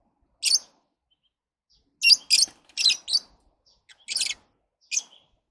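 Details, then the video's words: Lovebird chattering in a series of shrill, raspy chirps, several in quick pairs, irregularly spaced over about five seconds. "Love birds Sounds"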